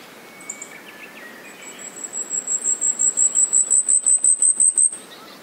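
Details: Asian stubtail singing a very high, sibilant string of quick pulses that starts soft and builds into a loud, evenly spaced crescendo lasting about three seconds. Faint lower whistled notes from other birds are heard early on.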